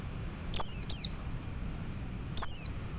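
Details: High, drawn-out, descending whistles from a male Oriental white-eye calling other white-eyes: a quick pair, then a single note after a pause, over a quiet low hum.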